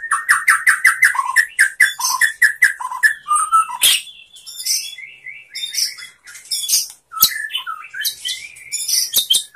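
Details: White-rumped shama song used as a master recording to coax shamas into singing and widen their repertoire: a fast run of paired clear whistled notes repeated about twice a second, then varied slurred whistles, rattles and sharp high chips.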